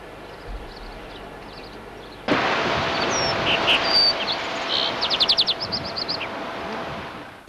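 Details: A Lark Sparrow, Britain's second record, at Waxham, Norfolk, in May 1991, gives high, thin notes, then a quick run of sharp clicking chips, over heavy wind-like rushing noise.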